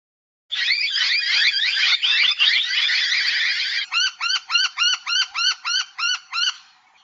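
A Noisy miner gives about three seconds of harsh, scratchy chatter, then a quick run of about ten loud, ringing, arched notes, roughly four per second.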